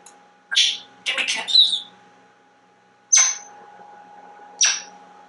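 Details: Home-kept male African grey parrot, very talkative: hissy, raspy speech-like bursts, then two sharp squeaky clicks about one and a half seconds apart.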